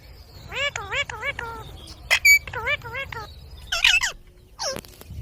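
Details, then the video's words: Talking ring-necked parakeet producing rapid, wavering, voice-like syllables in quick runs, broken by sharp shrill squeaks and a high screech, with faint low background rumble. "Ringneck Talking"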